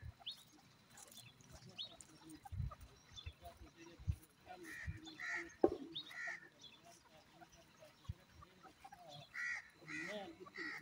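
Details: Female grey francolin (teetar) calling: short, harsh, harmonic notes given in quick bursts, about five across ten seconds, with people talking nearby and clattering sounds in the background.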